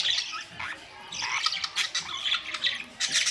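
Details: Several budgerigars, May 2, 2023, giving bursts of scratchy warbling and squawks separated by short quieter gaps, the notes rough and high.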